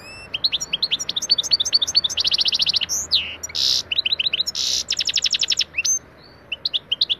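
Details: European goldfinch singing lesson recording: lively twitters, quick repeated chip trills, two harsh buzzy bursts and a rising whistled note amid the liquid song.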